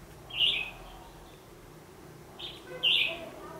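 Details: Red-whiskered bulbul singing a fighting song during trapping with a decoy bird, 14 December 2015: one short chirpy phrase, a pause of two seconds, then two more quick bright phrases close together.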